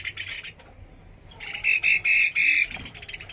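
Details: Chinese hwamei from Da Lat delivering a burst of loud song, a short silence, then rapid repeated slurred whistles in quick succession, strong and harsh-edged.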